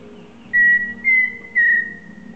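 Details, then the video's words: After a short quiet lead-in, a Pheasant cuckoo whistles three clean notes at a steady pitch. The second and third notes step slightly upward, and the phrase ends with a trailing tone. "PHEASANT CUCKOO (Dromococcyx phasianellus) bird song"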